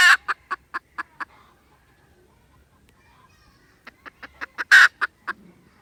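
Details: Red junglefowl, 16 December 2021, giving two bouts of rapid clipped clucks separated by about two and a half seconds of silence, each bout including a loud harsh note.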